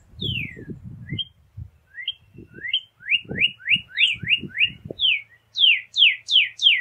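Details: Northern cardinal song: clear slurred whistles, first sliding down, then a run of short rising notes, ending in a series of loud steep downslurred whistles. Low thumping noise is heard at the start.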